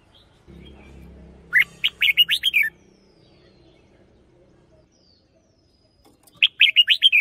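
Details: A red-whiskered bulbul kept as a lure singer repeats its song twice, each phrase a lively string of six or seven quick, looping whistled notes; faint low rumble before the first phrase.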